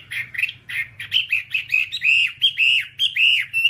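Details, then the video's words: Whambie song from a long master recording: harsh, buzzy notes at first, then clearer arched whistles repeated about twice a second, each rising and falling. "Masteran Whambie nonstop 1 jam"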